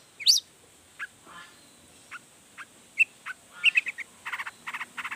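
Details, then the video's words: Long-tailed shrike singing energetically as a lure to make other shrikes respond; scattered short sharp chirps and squeaky notes, a faint buzzy rasp, then a quicker burst of clipped notes near the end. "Cendet Gacor Full Emosi Bongkar Materi Bikin Cendet Lain Langsung Panas Nyaut Ikutan Bunyi"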